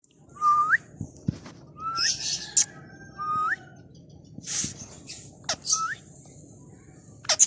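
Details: A green rose-ringed (ringneck) parakeet in a happy mood gives short upward-sliding whistles, repeated about once a second, broken by harsh raspy squawks and a few sharp clicks.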